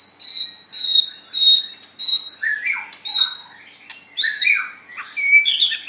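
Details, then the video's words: Murai batu, the white-rumped shama, competing in song: a run of high thin steady whistled notes, then lower husky swooping phrases mixed with scratchy chatter. "Cara Mengadu kekuatan Ocehan Burung Murai batu white rumped shama"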